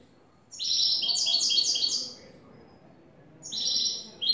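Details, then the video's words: Cante limpio song of a European goldfinch: a lively phrase of quick, tinkling, high-pitched twitters lasting about a second and a half, a silence, then another twittering burst starting. "Jilguero a cante limpio " el tres vueltas""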